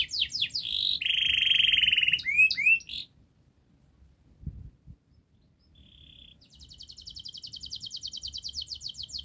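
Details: Fast, tightly packed canary song as a model for juvenile birds: a buzzy trill and whistled slurs, a pause of about three seconds, then a short tone and a long even high trill.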